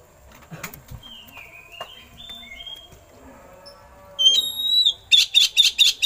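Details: Oriental magpie-robin singing with eagle-call imitations, used to train other birds: soft faint whistles at first, then a sudden loud high whistled note and a series of five rapid buzzy bursts.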